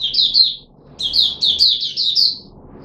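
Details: Kept red-whiskered bulbul of the Puteh Raja form, recorded on 13 April 2021 in a fruit juice and mealworm feeding trial. A short, bubbling phrase is followed after a brief pause by a longer run of six or seven quick warbled notes.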